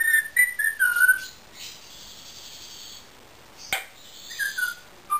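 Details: Whistling from a pet Indian ringneck parakeet: several quick descending whistled notes at the start, a quiet stretch with one sharp click, then brief falling whistles again.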